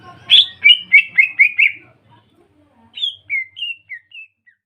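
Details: Greater green leafbird song used as a lure for kuningan and ombyokan leafbirds: a fast run of six bright, buzzy chirps, a short pause, then five slower, thinner whistled notes stepping downward and fading.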